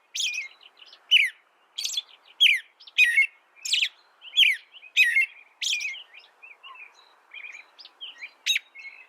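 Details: Canary song of sharp, high chirps repeated at an uneven pace, each note sliding downward, fading into softer scattered twitters near the end; quiet background.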